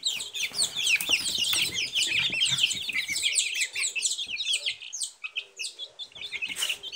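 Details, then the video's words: A dense flock of Silkie chicks cheeps steadily, bright descending peeps tumbling over one another about twice a second per bird, with soft background scuffling. "Цыплята шелковые"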